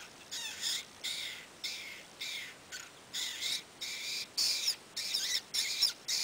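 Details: A Lewis's woodpecker mother, trying to lure her chick to fledge from the nest, gives harsh, raspy, high squawks, about ten in six seconds, each short and scratchy.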